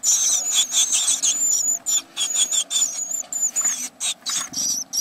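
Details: Great tits in a nest box, recorded 29 April 2017: loud, high, hissing and squeaky calls crowd together almost continuously, with sharp chirps and thin wavering tones, close and dense throughout.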